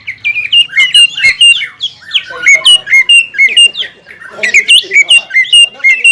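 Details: Greater green leafbird singing a fast run of sharp, slurred whistled notes, each clipped and repeated about twice a second, with a few scratchy chirps mixed in.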